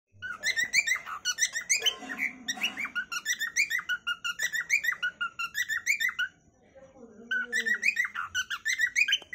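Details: Cockatiel kept as a pet bird giving a natural calling song: rapid chattering series of short warbled notes with strong overtones, several per second, in bursts with a brief pause near the end; faint low rumble in the background.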